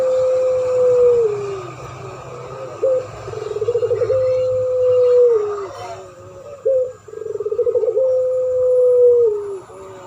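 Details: Spotted dove and puter pelung dove duet, a master lure for attracting birds: a long falling drawn coo, then two further phrases of pulsed rolling coos each ending in a sustained level tone, with faint background hum.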